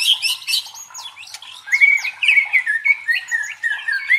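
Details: White-rumped shama singing, used to build the fighting spirit of competition birds: high chattering bursts open, followed by a long sequence of short rolling whistled phrases repeated at a quick, even pace.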